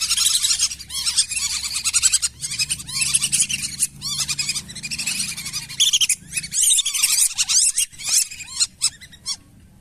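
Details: Lesser whistling ducks, recorded as a lure for wild birds in rice fields, swamps and wetlands: a steady run of arched, squeaky whistled notes, some in rapid series, with a low hum beneath, thinning to spaced calls at the end.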